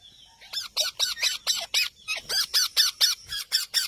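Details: Green parrot calling in a steady series of about fifteen short harsh squawks, evenly spaced, after a brief faint whistle at the start.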